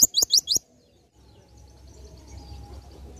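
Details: Oriental white-eye singing in the 'ngalas nembak' style, used as tutoring material for other birds: four quick, very high, sharp chirps within half a second, then near silence with a faint low background hum.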